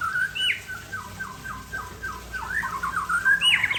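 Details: Aceh white-rumped shama in a relaxed afternoon song: a steady series of quick, down-slurred whistled notes, about three a second, ending in louder, higher rising phrases.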